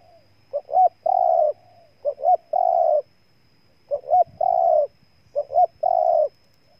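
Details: Spotted dove from Ninh Thuận, Vietnam, cooing: each phrase is two short rising notes and then a longer, level, mellow coo. Four phrases come at uneven intervals over a quiet background with a faint low rumble.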